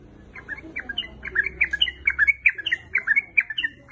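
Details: A sooty-headed bulbul female calls busily for a male, giving quick bubbly chattering notes that dip and rise, packed closely together and growing louder toward the middle, over a quiet low hum.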